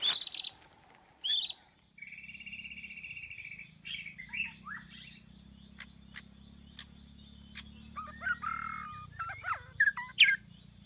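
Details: White-rumped shama singing as a trapping lure: loud high whistles, a buzzy rattling phrase, then scattered sharp chips and twittering notes over a steady low electrical hum.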